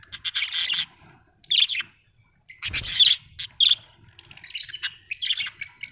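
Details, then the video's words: Happy budgerigar chirping, an Australian bird: quick bursts of raspy chirps and whistled squeaks in clusters with brief pauses, plus a soft thump. "Happy budgie chirping sound"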